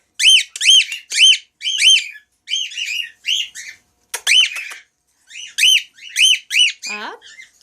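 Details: A white-faced male cockatiel gives a run of bright, arched whistled notes, about two each second.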